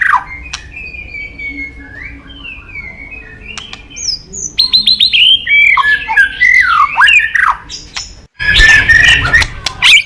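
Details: White-rumped shama, popular with songbird enthusiasts, starting with soft thin whistles and building into loud, tumbling varied phrases, ending in a burst of harsh, noisy notes.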